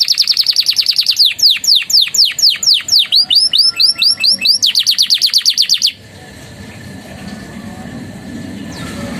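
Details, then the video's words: Canary master song with inserted phrases of Javan tesia and bar-winged prinia, used to tutor other birds: rapid series of high sweeping notes, shifting into dense buzzy trills and fast repeated chips, stopping abruptly, followed by faint room noise. "SUARA KENARI GACOR ISIAN CIBLEK PRENJAK❗MASTERAN BURUNG PALING REKOMENDASI."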